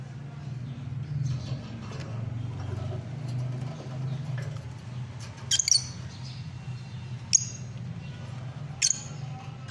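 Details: Lovebird calls: three brief, sharp, high chirps spaced a couple of seconds apart against a constant low droning hum.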